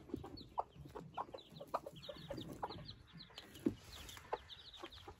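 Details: Fresh-hatched Silkie chicks outside for the first time: faint, thin descending peeps scattered through the background, with louder low clicks and soft murmuring clucks nearer by.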